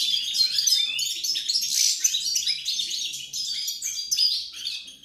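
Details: European goldfinch singing, recorded 28 November 2020: a dense, continuous stream of high, tinkling twitters and buzzy trills, with quick liquid notes packed together without pause for five seconds.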